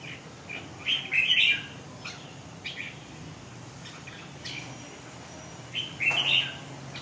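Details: Red-whiskered bulbul (Pycnonotus jocosus), song.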